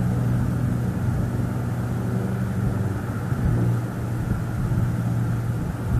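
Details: Steady low rumble of passing traffic fills the recording, with no animal calls heard.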